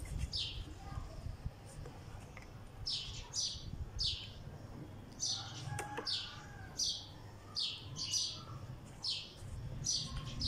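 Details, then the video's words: A sparrow sits on a wall and chirps steadily, its sharp falling notes coming singly or in quick pairs, with a low rumbling background. "Sparrow Chirping Sounds"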